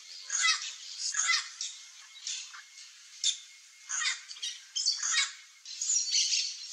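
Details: Chestnut-eared aracari (Pteroglossus castanotis) feeding on ripe fruit in a backyard in Central Brazil, giving harsh, squawky bursts in irregular runs, roughly one every half second to second, over a steady high hiss.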